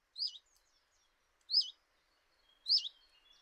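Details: A Common chiffchaff at a kitchen window, Eibar, early March 2018: three bright, swooping high notes about a second apart, with faint thin whistles from other birds in the background.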